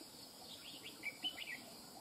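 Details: Red-whiskered bulbul, a wild-caught bird, singing a brief run of short whistled notes around the middle pitch range, several quick slurred phrases in under two seconds over a steady insect hiss.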